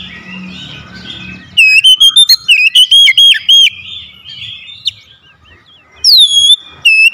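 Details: Oriental magpie-robin singing as a lure to bring on song in quiet birds: soft twittering, then a loud series of quick ringing whistles, a lull, and a final pair of sweeping notes.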